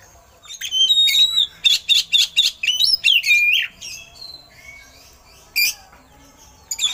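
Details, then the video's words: Oriental magpie-robin song with eagle-call imitations for training songbirds: a high whistle, then six evenly spaced harsh bursts, a falling slurred note, and scattered thin whistles. "Suara Burung Kacer Isian Elang || Pas Buat Masteran"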